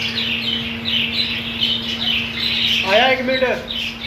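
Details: Budgerigars in a colony, with green food, giving repeated scratchy chirps and warbles at high pitch, joined near the end by a louder descending harmonic squawk; a steady low hum runs underneath.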